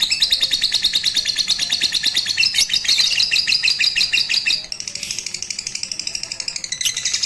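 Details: Lovebird of Batman type, rooftop song training with a master recording in Ramadan 2021; dense, fast high chatter throughout, loudest in the first half, then slightly softer repeated chirps.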